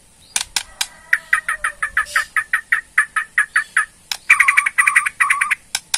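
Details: Borneo white-rumped shama giving its ketrekan, a rattling call used to provoke a response: a fast series of harsh, evenly spaced chattering notes, then a louder doubled burst of rattles near the end, with sharp clicks between.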